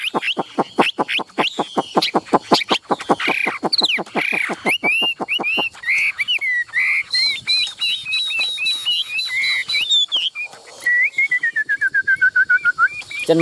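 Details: Caged Chinese hwamei from Vietnam, yellow-billed and spread-tailed, opening with a fast train of identical sharp notes for about five seconds, then clear looping whistles and a gently falling trill near the end.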